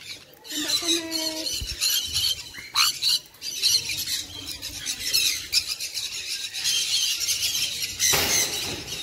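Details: Sun conure producing a run of piercing, grating screeches, irregular and rasping, ending in a sharp loud burst; a few softer tonal notes early on.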